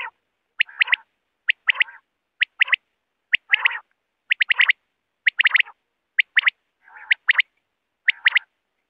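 Common quail calling in quick liquid phrases of two to three high, clipped notes, repeated about once a second with no other sounds.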